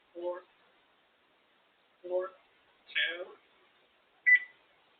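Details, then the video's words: Caged female African grey parrot indoors, talking: two low, voice-like syllables spaced two seconds apart, then a harsher higher burst and a brief bright whistled beep at the end. "African grey parrot sitting in her cage talking"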